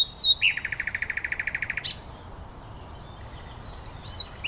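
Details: Common nightingale singing in nature: a high whistled opening, then a fast run of about fifteen identical pulsed notes, ending in a sharp upswept note before a quieter stretch with faint distant chirps.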